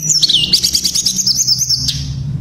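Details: Tledekan pring (shortwing) rolling in ngerol fashion: a rapid, even, high trill of bubbling notes for about two seconds, then a brief pause, over a faint low hum.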